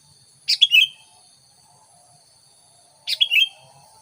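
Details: Sooty-headed bulbul used as a lure to attract wild bulbuls: two short bright chattering phrases, each a quick burst falling into a liquid bubbling note, separated by about two and a half seconds of quiet with a faint steady high hiss.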